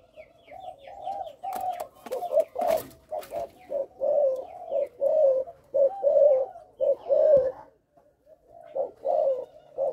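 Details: Caged young Malaysian spotted dove whose coo stutters on its first three notes: a run of low, hollow coos about once a second, knocking sounds near the start, then a brief pause.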